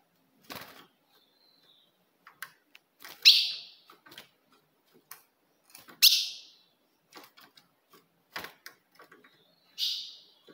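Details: Female ultramarine grosbeak chips meant to provoke a male: loud, sharp notes about every three seconds, with scattered dry ticks and clicks in between.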